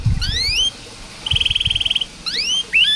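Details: Canary phrases for training quiet canaries: a few long rising whistled slurs, a short bubbly trill, and soft low thumps in the background.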